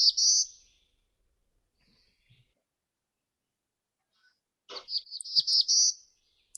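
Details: Black-throated Blue Warbler, a small warbler seen in spring, especially May, gives high, buzzy, wheezy phrases: a short burst, then after a pause a run of several buzzy notes, in otherwise quiet surroundings.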